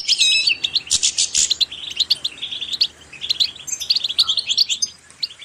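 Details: Singing goldfinch, recorded to motivate birds to sing, opening with loud buzzy, harmonic notes, then a rapid run of thin, tinkling chirps and twitters that continue steadily.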